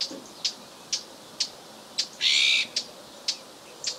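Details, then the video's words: Azure-winged magpie calling in winter, 31 December 2011, in Ria Formosa Natural Park in southern Portugal: sharp high clicking notes repeated about twice a second, broken once by a longer harsh, buzzy rasp, over a quiet background. "PIE-Bleue/Cyanopica cyanus/Cris/Hiver"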